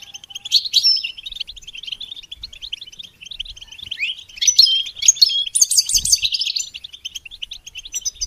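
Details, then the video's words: Goldfinch song used to train songbirds: long, dense twittering with whistled notes, growing louder past four seconds into rapid buzzy trills, with a soft low thud near six seconds. "integrated stimulation suitable for all songbirds for goldfinches"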